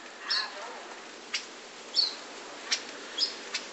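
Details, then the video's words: A scarlet-headed flowerpecker gives thin, sharp, very high tsit notes, about six spaced unevenly over a few seconds, over a soft steady hiss. "SUARA BURUNG CILILIN GACOR"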